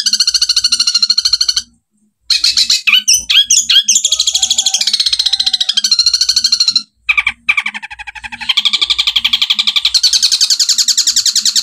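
Long-tailed shrike singing a fast, varied medley of chattering, harsh and whistled notes in rapid bursts, with two brief pauses.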